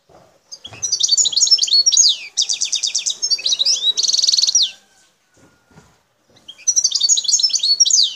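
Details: Wild Algerian goldfinch singing in the El Tarf sector near Bouteldja: a busy, high twittering phrase with buzzy trills and tinkling notes, a pause of nearly two seconds, then the twittering resumes.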